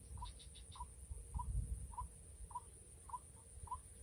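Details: White-breasted waterhen calling while being lured by trappers in the rainy season: a steady series of short, hoarse mid-pitched notes spaced roughly every 0.6 seconds, with low background rumble.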